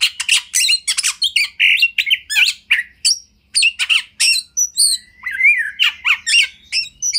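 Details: Training master song of a kacer, fast and varied, mixing scratchy bursts, buzzy rasps and clear rising whistles, with a brief pause near the middle before the lively phrases resume.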